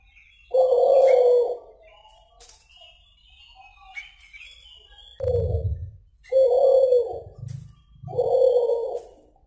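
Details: Suhu or kulhu pigeon cooing vigorously, described as 'dor tak kowor kowor': four deep, hoarse, drawn-out coos, the later ones spaced about a second apart, with low thumping sounds and faint high twitters from other birds behind.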